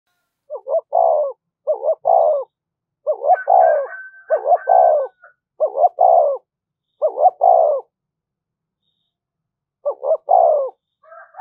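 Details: Spotted dove giving the standard thúc gù cooing, used to stir up decoy birds: low, mellow phrases of two quick notes and a longer falling coo, repeated with uneven pauses, with a faint higher buzzy call in the middle.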